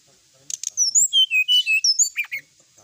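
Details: Sooty-headed bulbul recorded at night, singing busily. After two sharp clicks, a dense string of loud whistled notes slides up and down across high pitches, closing with two lower downward swoops.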